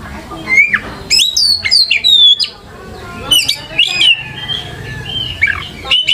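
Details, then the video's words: White-rumped shama lure song with loud, varied whistled phrases, sweeping slurs up and down, sharp clicks and brief harsh notes, repeated in several bursts over a low hum. "PANCINGAN KACER GACOR LANGSUNG IKUT NYAUT DAN GACOR"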